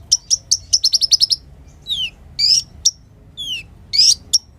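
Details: Sunbird singing vigorously, a bird used to tutor other songbirds; a rapid run of sharp, high chips, then high down-slurred whistles and buzzy bursts with gaps between them.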